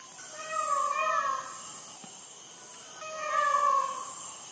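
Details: Peacock in Sri Lanka screaming at midnight, Sony ICD-PX470 recording: two loud, nasal, cat-like wails roughly three seconds apart, each slightly falling at the end, with soft background hiss between.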